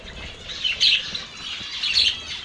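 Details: Short burst of lovebird sound: two drawn-out, raspy squawks over a soft hiss.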